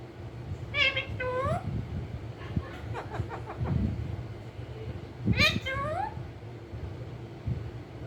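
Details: Green ringneck parakeet kept as a pet and said to talk: upward-sliding harmonic calls in quick pairs, a few softer chattering notes, then another pair of rising calls, with low rumbling background noise throughout.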